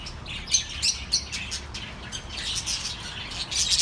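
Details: Calming chirps for lonely birds, with a sharp loud tweet early on, then softer overlapping twitters, and a louder cluster of high chirps at the close over low background hum.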